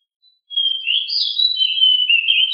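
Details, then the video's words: High, sweet warbling from a pied bushchat in rolling 'ngeroll' style, described as agile and very loud: one continuous, fluid phrase of quickly changing notes starting after a half-second hush. "DECU sangat gesit suara sangat berisik"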